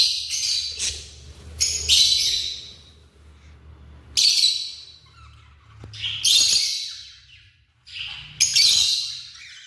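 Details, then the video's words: African lovebirds give harsh, shrill screeching bursts in loose bouts every two seconds or so, over a faint low hum. "The Vibrant Sounds of African Love Birds"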